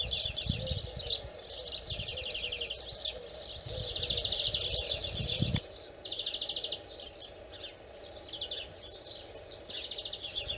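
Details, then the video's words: European greenfinch singing fast, rippling, high-pitched trills and twitters in bursts of a second or two, over a steady low hum and some rumbling background noise. "Le chant du Verdier / The Greenfinch song"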